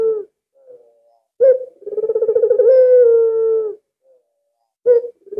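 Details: An albino collared dove calling very actively, suited as a lure, gives low, hollow coos: short notes, then a long rolling coo that steadies into a drawn-out hum, then brief coos again.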